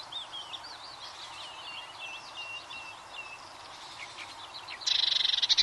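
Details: Eurasian blue tit delivering a fast, high trill of repeated notes near the end, after several seconds of varied whistles and twitters from other songbirds in the surroundings.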